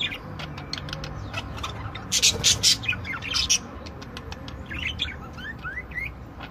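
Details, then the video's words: Several budgerigars singing: scattered high chirps, short rising whistles and quick warbled notes over a steady broadband hiss. "Chant perruches"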